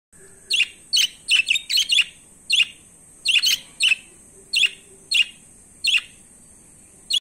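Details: Budgerigars giving short, bright chirps in quick irregular bursts, some doubled, with a faint steady hiss behind.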